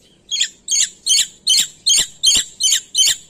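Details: Black-winged myna from Indonesia in full gacor song giving eight loud, harsh, scratchy squawk notes in a steady series, roughly two or three per second, with a quiet background.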